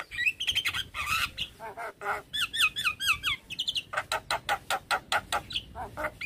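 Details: Javan myna, stressed on hearing a fellow Javan myna call: nasal squawks, then a quick series of bouncy up-and-down whistled notes, followed by a steady train of sharp clicking rasps about twice a second.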